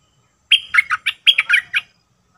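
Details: Bubbling phrase from a wild sooty-headed bulbul: a clear opening whistle, then seven or so short, liquid notes dipping and rising in quick succession, with a faint low hum beneath.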